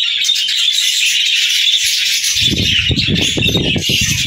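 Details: Budgerigars, kept as pets, chattering in a dense, continuous high warble of twittering notes. Low rustling and wing-flapping thuds join partway through.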